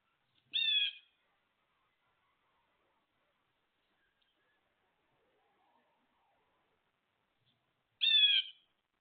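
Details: Red-winged blackbird holding off blue jays while feeding, giving two short, harsh, harmonic calls about seven seconds apart, with near silence between them.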